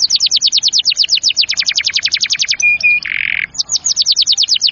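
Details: Canary singing for training young or silent canaries: long fast trill of sharp repeated notes, two short pure whistles and a buzzy burst, then the rapid trill returns.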